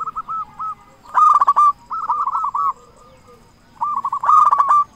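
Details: Local zebra dove with a big voice, singing to draw other doves into song; repeated phrases of rapid, rolling coos separated by short quiet gaps.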